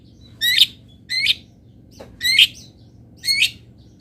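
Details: Long-tailed shrike from local master song material uttering four loud, harsh, rasping calls roughly one second apart, each a buzzy squawk with layered tones.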